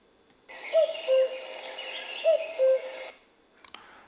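A Common Cuckoo gives two clear, hollow 'cu-coo' phrases, each dropping from a higher to a lower note, about a second and a half apart, over steady hiss.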